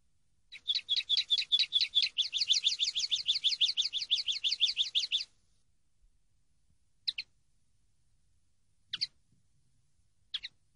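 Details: Common linnet singing on a song-training recording, a fast, even, high-pitched twittering trill of about thirty rapid notes lasting nearly five seconds, followed by three isolated sharp chirps spaced well apart, clean and quiet behind.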